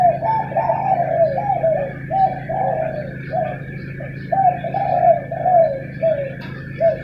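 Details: Spotted doves squabbling at dawn, giving repeated soft, downslurred cooing notes in broken series, roughly two per second, against a steady electrical-sounding hum.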